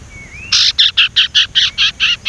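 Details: Sumatran leafbird, a young bird practising its whistle: a faint thin rising whistle, then nine or so bright, clipped high notes repeated evenly about four times a second.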